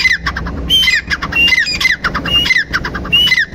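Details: Rhythmic grey francolin call: squeaky multi-part phrases repeated roughly every 0.7 seconds, each with a high whistled element followed by harsher falling notes.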